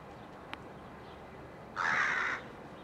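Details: Rook at a colony with chicks in July 2021, giving one harsh, rasping caw that lasts about half a second, after a short sharp click, over a steady background hiss.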